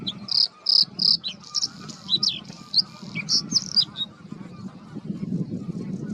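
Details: Male Bluethroat singing from reeds and bushes to defend his territory, a varied song that mimics other birds. Loud, high ringing notes repeated in quick bursts, then scratchy twittering phrases, over a soft low rumble.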